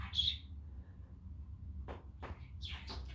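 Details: Talking pet male budgie on a sunny day, cheerful and playful indoors; one sharp high chirp, then a pause and a few quick scratchy notes near the end over a low background hum.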